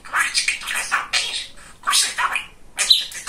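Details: Talkative male budgerigar at home gives three clusters of hoarse, buzzy chattering syllables separated by brief pauses, the last with a thin whistle.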